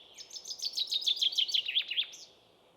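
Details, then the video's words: A common chaffinch sings its lively song, heard from the first half of April to the start of July. A steady run of ringing notes descends gradually and ends with a rising terminal flick, against a quiet background. "Metsvint, rahvakeeli metsavaht. Linnulaul."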